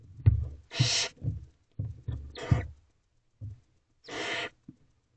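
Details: Barn owl owlets in a nest box at night, hungry and being fed by their mother, 12:11 am on 17 April 2023. Three harsh, broadband hissing screeches of about half a second each, with low thumping and rustling from movement in the box between them.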